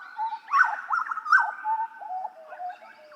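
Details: Hooded butcherbird song with rich, mellow whistled phrases, a loud rising-falling burst at the start and again mid-way, then softer gliding notes.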